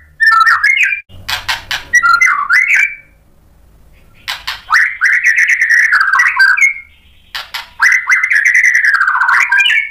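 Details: Fired up by a fighter bird, a white-rumped shama alternates harsh rattling bursts with long, fluid whistled phrases that waver and slide, showing off its repertoire; faint low humming sits underneath.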